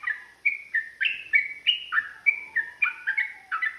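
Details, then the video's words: Fighting yellow-vented bulbul delivering an extended rapid song of liquid, bouncing notes that switch between higher and lower pitches roughly three times a second, on a clean, quiet background. "TRUCUKAN GACOR ROPEL PANJANG | Pancingan AMPUH Burung Trucukan agar bunyi jadikan EMOSI"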